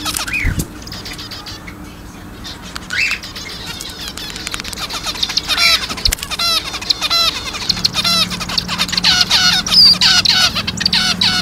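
Zebra finches chatter with quick, nasal, trumpet-like beeps tumbling over one another.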